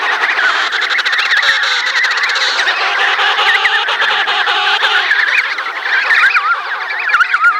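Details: Emperor penguins at Cape Washington, Antarctica, during chick feeding: a dense chorus of many overlapping warbling, wavering calls, with steady colony din throughout.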